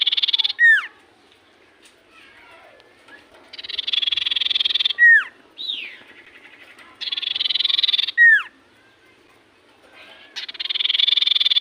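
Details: Common iora in full song, repeating a harsh, fast rattling trill that closes with a clear falling whistle. Phrases come every few seconds, with a few softer slurred notes in the gaps.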